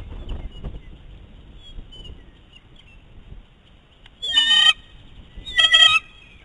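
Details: Two eagles on the nest quarrel over prey that the male will not give up. Low rustling is followed by two loud, harsh, harmonic whining bursts about a second apart.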